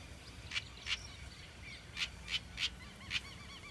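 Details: Young house wren, locally called corruíra or cambaxirra, calling in quick, scratchy, high chips. Six notes come in loose pairs and singles, while softer twittering sounds faintly in the background.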